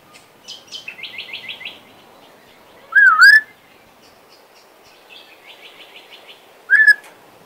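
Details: Pet male Western Australian magpie, voice recovering after loss, runs soft quick warbled trills between two loud fluty whistles that dip and rise, about four seconds apart, showing off his tunes.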